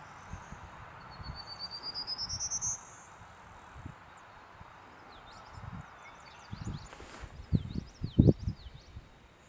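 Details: Prairie Warbler singing while preening at Lindsay-Parsons Biodiversity Preserve in May 2021: a thin, buzzy series of short notes climbing steadily in pitch, over low rumbling background noise and some rustling.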